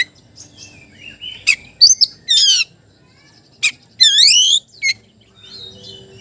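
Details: Magpie-robin song directed at a rival, mixing sharp clicks, scratchy notes and two loud, swooping whistled phrases, the second dropping and then rising; faint background chatter between phrases.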